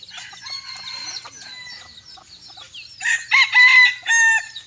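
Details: Bantam rooster crowing on a hot evening: faint scattered chirps first, then a loud harsh crow in several ringing bursts in the final second and a half.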